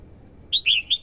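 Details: Red-whiskered bulbul female, used as a decoy to draw wild males: a quick, loud warbled phrase of three bright chirping notes after a silent start.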